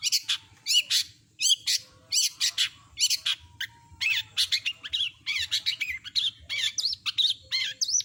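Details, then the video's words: Cendet or long-tailed shrike in continuous mimicry song: rapid strings of chirps and repeated hooked, warbling whistles, dense and unbroken for the whole passage. "Masteran burung CENDET gacor isian lengkap kompilasi jos suara jernih"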